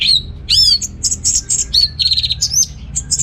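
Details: Orange-headed thrush in energetic song, used as a lure to stimulate males lacking breeding drive: loud sweeping whistles, then rapid buzzy high notes and chirps strung closely together over a faint low hum.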